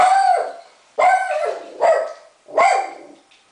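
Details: Pet macaw saying "Maah" while throwing kisses with its foot, indoors; four loud, nasal, harmonic calls about half a second to a second apart, each starting sharply and fading.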